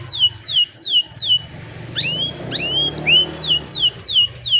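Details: An old canary on a sunny morning, recorded with a cellphone: a series of loud descending whistled notes, rising sweeps in the middle, then more falling whistles repeated about twice a second, over low background hum.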